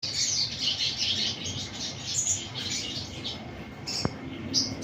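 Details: Sunbird singing: rapid, very high thin chirps and short trills in quick bursts, with a faint steady electronic whine underneath and a single sharp click near the end.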